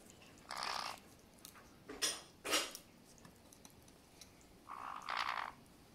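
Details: White-bellied parrots kept as pets, two birds, sampling large pesticide-free blueberries; several coarse, buzzy 'gyurugyuru' gurgles of delight, roughly half a second long, between quiet gaps and a few sharp clicks.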